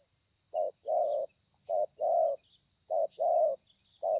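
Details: Spotted dove cooing in thổ pha style with lèo and dặm variations, 30/11/2020; three pairs of low coos, a short note leading a longer rounded one, spaced about a second apart.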